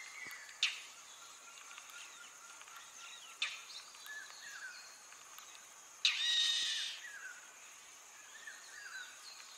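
Indian roller giving three harsh, rasping notes a few seconds apart, the last a longer grating burst, over a steady high insect drone.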